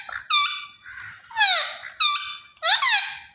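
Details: Green ringneck parakeet kept as a talking pet, calling in a series of four loud, harsh, nasal squawks, some dropping in pitch and some held level, with no other sounds.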